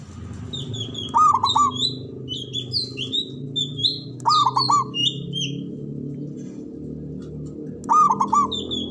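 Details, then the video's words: Local Javanese zebra dove, described as having a loud, big voice and long breath, used as a lure to stimulate breeding and fighting spirit. Gives three rolling, stuttering coo phrases, with many high chirping birds and a steady background hum. "Pancingan Ampuh❗Pendongkrak Birahi Perkutut Biar Cepat Fighter & Bermental"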